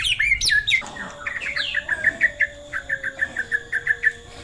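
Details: White-rumped shama singing: a few bright sweeping whistled notes open, then a steady run of short chirped notes repeated about four times a second, with a faint low steady hum beneath.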